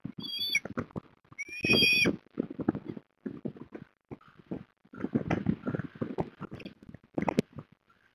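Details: Osprey at a nest at Port Lincoln, Australia, on an October 2021 afternoon during food deliveries: two short bursts of thin, high whistled calls early on, then repeated knocking and scuffling thumps from movement at the nest.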